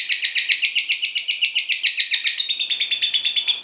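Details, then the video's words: Cinderella lovebird chattering, used to coax other lovebirds into singing for training: rapid high chirps repeated about four per second in an even pulsing stream, the tone changing slightly toward the end. "Pancingan ngekek lovebird cinderella cocok buat masteran"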